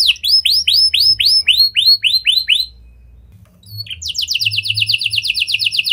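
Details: Canary singing in a lovebird and prenjak style, used as a lure to get other canaries singing. Loud looping whistles about three per second stop for a moment. Then a rapid dense trill starts up.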